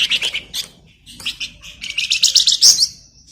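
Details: Flamboyan bird, a model singer for magpie-robins, delivers fast chattering phrases of high twitters and stuttered notes, building to a loud piercing flourish before a fading whistle.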